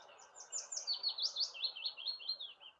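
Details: Willow warbler song, a relaxed, calm descending phrase of quick soft fluty notes stepping down the scale like a waterfall over about two seconds, without the harsh scratchy flourish of a chaffinch; spring garden or park singer.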